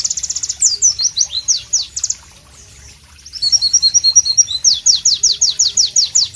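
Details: Pleci white-eye song, loud and sharp: rapid high chirps and trills, a quiet gap of about a second, then twinkling mixed notes followed by evenly repeated, strongly downslurred whistles.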